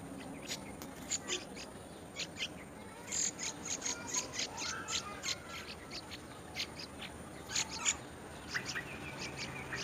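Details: Yellow-vented bulbul calling while it feeds, putting worms in its mouth; thin, sharp high chirps and ticks come in quick irregular bursts over a soft, steady background hum.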